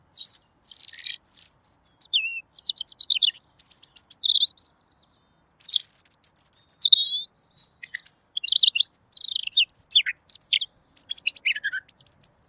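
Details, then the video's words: Clear, high song of a Pekin robin used as a tutor recording: long runs of rapid chirps, whistled upslurs and downslurs and dense trilled notes. One brief silence near the middle, then faster, more crowded twittering. "masteran burung Robin!! suaranya jernih"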